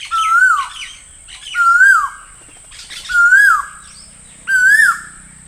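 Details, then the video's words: Four loud, upward-inflected whistles from an Asian koel, about one every one and a half seconds, with a soft low hum near the end. "Asian Koel Master Sound - Asian Koel Sound Effect"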